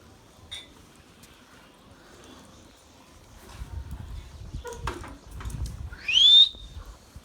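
A young rose-ringed parakeet gives one short, harsh, rising squawk near the end, after a faint thin note at the start; low rumbling handling noise runs underneath.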